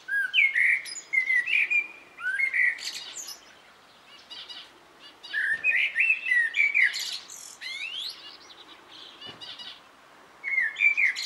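A common blackbird sings mellow, fluted warbling phrases every two to three seconds, each ending in a thin, high squeaky twitter, with brief pauses between.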